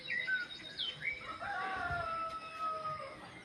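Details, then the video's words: Birds singing, heard from the Tlamamala lookout: clear whistled notes, several slurring downward, then one long steady whistle lasting over a second and a lower sliding note, against a faint low rumble. "se escucha el canto de los pájaros"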